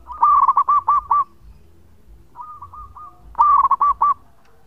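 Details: Local zebra dove in long song for use as a lure: two loud rolling phrases of five or six looped coos, separated by a quieter echoing run of similar notes.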